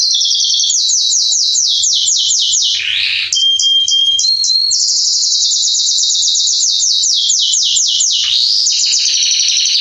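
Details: Male Belgian canary of the Salsa line singing strongly to warm up other canaries: long runs of rapid descending chirped notes, a brief pure whistled stretch, then more fast trilled series at high pitch.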